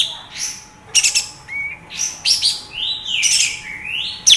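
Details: An Olive-winged Bulbul sings a quick, high jumble of chirps, bright whistled slurs and short buzzy bursts with no pause over four seconds. The recording is used as a lure to provoke a captive bulbul's fighting spirit and song.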